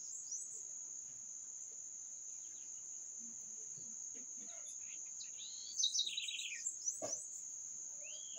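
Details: Quiet stretch of steady insect buzzing, then a bird sings one phrase of high notes falling into a quick descending trill, followed by a brief knock.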